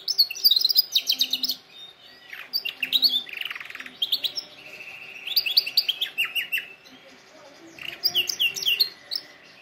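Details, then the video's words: Canary song for training canaries: bursts of rapid high chirps and trills, repeated note rows alternating with buzzy lower rolls, phrases separated by short pauses. "canary singing best video to training canaries birds"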